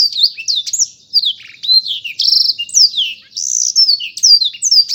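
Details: A black-throated canary sings high, sweet phrases of long falling whistles, interrupted by a buzzy rattling segment midway, then more clear slurred notes.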